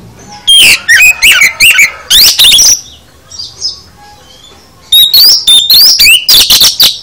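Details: Kacer, the oriental magpie-robin, singing full isian: a dense run of whistles and chattering notes, a quiet gap of about two seconds, then a second lively burst of slurred whistles.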